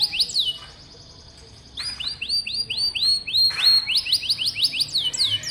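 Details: Canary recorded singing to stimulate young canaries and serve as a tutor for other birds. After a brief quiet spell, chains of rising-then-falling whistled syllables repeat rapidly.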